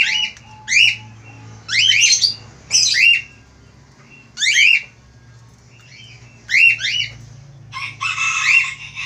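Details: Male Australian finch calling eagerly in bursts of two or three rasping downslurred squawks, ending in a broad buzzy rattle, over a low steady hum.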